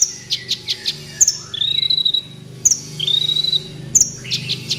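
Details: Kolibri ninja (sunbird) master recording for training captive birds: a few high chips, then a sustained thin whistled trill near one pitch, repeated twice, over a steady low hum.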